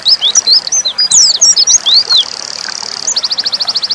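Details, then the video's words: Oriental white-eye (pleci dakun) in nembak song: a short run of high slurred whistles and sharp chips, then a rapid even trill of about a dozen notes. "pleci dakun nembak"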